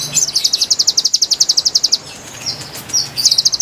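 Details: Konin song used to lure wild konin: a long, rapid trill of crisp, high notes repeated evenly, then a pause with faint whistles before another quick trill.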